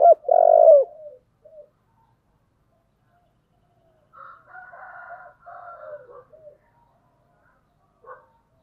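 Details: Spotted dove cooing in the 'giọng thổ' song style, one loud full phrase of soft, low hooting notes, followed by fainter, wavering cooing phrases further off and a brief final note.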